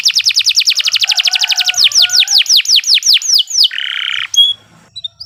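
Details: Canary's nonstop master song used for training, with a rapid series of falling whistled notes slowing into longer sweeps, then a short buzzy burst and a faint chirp.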